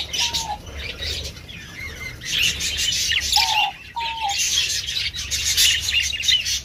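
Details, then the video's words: A male diamond dove gives three soft, hollow coos, each falling slightly, over busy high chirping and twittering from other cage birds. "Beautifull Dave Male Voice i love it"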